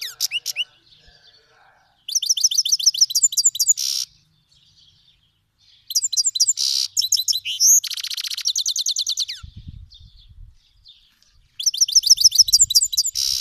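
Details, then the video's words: Iranian goldfinch, a Himalayan and black-headed cross, sings a Fars-province style song used for teaching young birds: bursts of rapid, very high twittering trills and chirps lasting two to four seconds, separated by quiet pauses, with brief low thumps midway. "Himalayan Goldfinch Singing"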